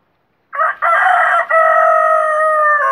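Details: Desi rooster giving its crow, known in Urdu as the azan: a loud, strongly harmonic call begins after half a second and holds steady for about two and a half seconds, with brief breaks near its start and middle.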